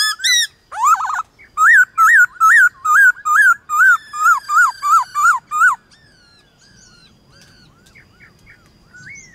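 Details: White-cheeked laughingthrush singing against wild laughingthrushes in the morning: loud, regular chain of rising-falling whistled notes, about two per second for five seconds, followed by faint distant notes.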